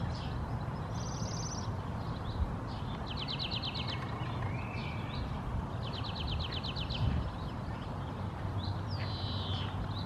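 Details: European greenfinch (Carduelis chloris) singing in Helsinki, Finland, May 2022, while a wood pigeon drinks at a puddle: high, rapid trills and twittering runs with a few thin whistles, over a steady low background rumble.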